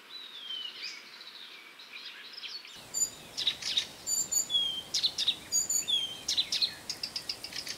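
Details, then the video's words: Blyth's reed warbler sings a lively run of high whistles, clicks and chattering notes, many phrases repeated, after a quieter, muffled opening. "Садовая камышовка"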